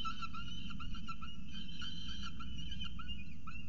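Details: Peregrine falcon at the nest during a second meal, CSU Orange, morning of 2 November 2018; short clipped notes repeat rapidly in an uneven chatter over a steady low hum.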